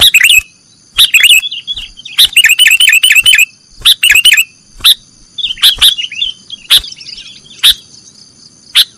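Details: Sooty-headed bulbul in a cage-bird training recording, nggaruda song style: bursts of quick chirpy, warbling notes alternating with sharp clicks and short silences, a steady high electronic whine running throughout.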